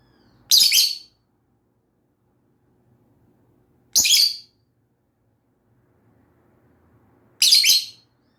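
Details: Pet lovebird giving three sharp, shrill chirps spaced about three seconds apart, each short and buzzy, with quiet room between them.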